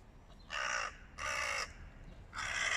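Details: Hooded crows in a flock confronting a stray cat: three loud, harsh caws, each about half a second long, spaced roughly a second apart over light background noise.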